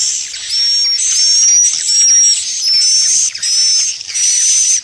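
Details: Sound played to lure swiftlets: loud, very high buzzy chirp bursts with a thin whistled tone, repeated about once a second with short gaps.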